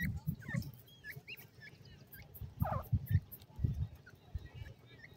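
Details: High, thin peeps from several ring-necked pheasant chicks, some looping up and down in pitch, with one brief louder cheep. Loud low rustling and knocking sounds come in pulses.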